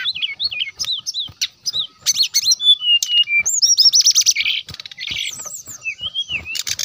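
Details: Lively brown-chested jungle flycatcher singing to lure an opponent: dense, fast sequences of looping whistles, sharp chips and trilled notes, hardly pausing, rising and dipping in pitch throughout.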